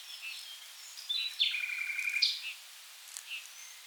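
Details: Common nightingale in river wetlands along the Rhine, south Germany, holding one long, even, slightly buzzy note for about a second, with a few soft, scattered high notes before and after.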